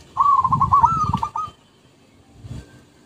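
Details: Zebra dove song used as a lure: one quick phrase of stuttering, pulsed coos that rises slightly and then trails off, followed by quiet and a faint thump.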